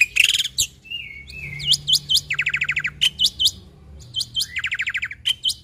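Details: Black-winged myna (jalak putih) in an imitative song: a loud opening burst, a drawn-out whistle, then groups of sweeping whistled strokes alternating with fast buzzy trills, repeated in several rounds.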